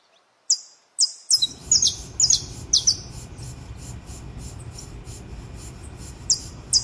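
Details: Saffron finch in the wild singing its alvorada at dawn: high, sharp downslurred chirps at roughly two per second, heard over a steady low rumbling noise that starts after the first second.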